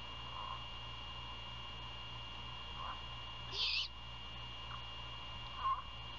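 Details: During a night prey handover at a great horned owl nest near Savannah, Georgia, 1:38 AM, 27 February 2022; one loud raspy screech in mid-clip, a shorter rasp near the end and faint lower notes, over an even electrical hum.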